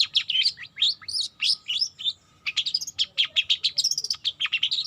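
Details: Juvenile long-tailed shrike practising song: fast jumbled high chirps and twitters, a brief pause after two seconds, then a denser burst of sharp squeaky notes.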